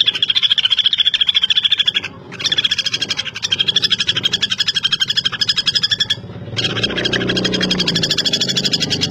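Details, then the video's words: Common flameback, a woodpecker: fast rattling trill of sharp notes, about eight per second, in bursts of roughly two seconds with short pauses. A lower rumbling noise enters near the end. "Pelatuk Bawang Gacor (Pelatuk Besi)"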